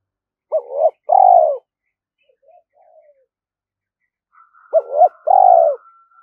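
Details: Spotted dove's urging and luring coo, used with traps to bring wild doves in as a flock: two call phrases about four seconds apart. Each has a short clipped note and then a longer, fuller, falling coo. A faint thin tone sits over the second phrase.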